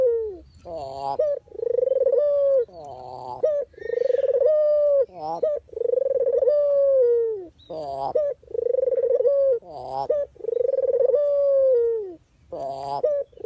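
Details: Dove (puter/deruk) call used as training filler, lure and decoy for trapping. About seven repeated phrases, each a harsh broken note followed by a throbbing trill and a drawn-out falling coo, delivered every two seconds or so.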